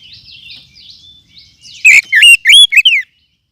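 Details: Forest oriental magpie-robin lure call, used to attract birds and to tutor caged songbirds: soft scratchy twittering, then a harsh burst followed by four loud, bent, whistled notes over about a second.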